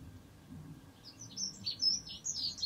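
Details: Hawfinch filmed at Dohr in the Eifel, Germany, giving thin, very high, clipped ticking notes in an uneven series through the second half, over a faint low rumble.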